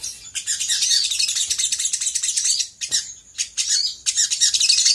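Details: Sogok ontong, the sooty-headed bulbul, in a lure recording for provoking other birds to answer. Busy high twittering comes in phrases separated by short silent breaks.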